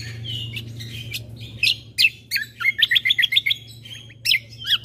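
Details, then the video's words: White-eye combo song made to provoke other birds into calling: thin whistles and sharp slurred notes leading into a quick chattering series of high repeated notes, with a low background hum. "Suara Keciasl Kombo Isian Mewah Sekali Putar Bikin Emosi Burung Yang Dengar Auto Ribut"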